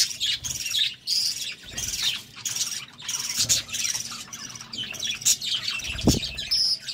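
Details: Pet budgies in a courtship mood give a rapid stream of bright, high chirps and squeaky warbles in uneven bursts, broken by a soft thud near the end.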